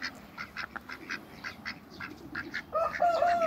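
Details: A pair of hybrid mallard ducks in a backyard give soft, rapid chattering quacks, about two or three a second, then a louder, drawn-out nasal call at the end.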